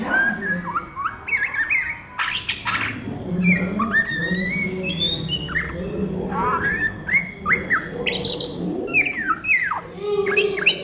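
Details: Long stretch of ngriwik singing by an Oriental magpie-robin at midday: varied whistled phrases, quick rising and falling slurs and chirps, with a brief noisy burst near the start and a low rumble underneath.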